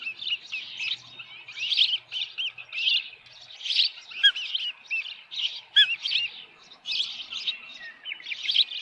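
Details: Osprey nest at Dunrovin Ranch, 10 June 2018, evening, a headless fish delivered: softer, overlapping high chirps and squeaky whistled notes in clustered bursts, quieter and more distant-sounding.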